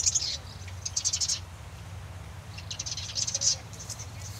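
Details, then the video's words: Marsh wren song: two bursts of rapid, dry, rattling high notes, the first lasting about a second and a half, then a pause before a second chattering trill, with faint low background rumble. "Marsh Wren - Song & Call"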